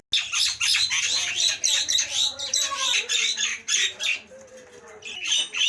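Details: Nias hill myna pouring out dense, harsh squawks and rasping notes almost without pause, loud and rough, with a few brief gaps near the end.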